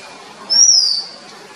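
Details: Oriental magpie-robin recorded in Sri Lanka with a Nikon COOLPIX P1000: a single pure, high whistle held for about half a second and gently falling in pitch, against soft steady background noise.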